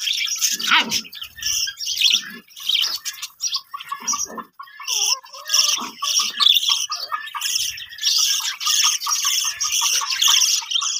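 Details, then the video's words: Budgerigar colony setup with many birds chirping and warbling in uneven bursts, high squeaky notes layered over a few lower squawks, with short gaps between pulses of chatter. "budgies parrot colony setup"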